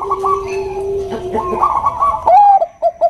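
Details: Zebra dove, Bangkok perkutut type, female calling to a male: a low steady humming coo underlies higher warbling notes, ending in a bright rising-falling coo and clipped notes.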